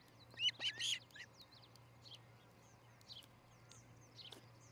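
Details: Osprey at a nest near Charlo, Montana, early morning, 13 July 2018: three loud, high whistled chirps in quick succession, then only faint scattered notes and a low steady hum.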